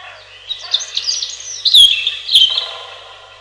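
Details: Robin giving a soft, jumbled run of high thin notes that swells into brighter sharp whistles near the end, then fades with a reverberant tail.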